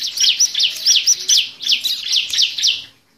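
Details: Bar-winged prinia (ciblek) chirping, used to stir reluctant birds into song. A fast, even string of sharp, high, upswept notes comes about six per second, then fades out after about three seconds.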